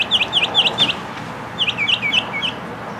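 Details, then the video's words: Mockingbird singing in repeated phrases. A sharp chirped note sounds four times in quick succession, then after a pause a different slurred note is repeated four times. Steady broadband hiss and background noise are heard throughout. "Mockingbird in Concert!"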